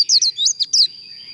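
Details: Japanese white-eye giving contest-style líu song used for training, a short burst of about five quick, high, slurred whistled notes, each sweeping up or down, followed by a faint steady high tone.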